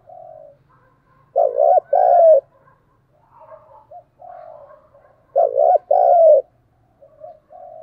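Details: Spotted dove calling as a lure, used to attract wild doves and to stimulate caged doves to coo; two loud two-part cooing phrases about four seconds apart, with softer, lower coos between them in a quiet setting.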